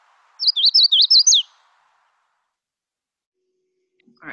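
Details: Magnolia Warbler song, described as resembling a quicker, choppier, higher Chestnut-sided Warbler song: a compact burst of six swinging whistled notes lasting just over a second, followed by silence and a low rustle at the end.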